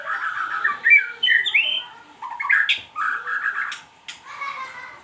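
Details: White-rumped shama song: loud, rich whistled phrases, with rolling warbles and swooping slurred notes, broken by brief pauses and a few sharp high accents.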